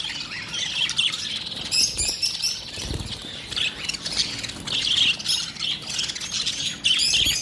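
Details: Lovebirds giving a dense, continuous stream of shrill, high-pitched chattering and squeaky squawks, with louder overlapping bursts around two, five and seven seconds and a faint sound of wings flapping.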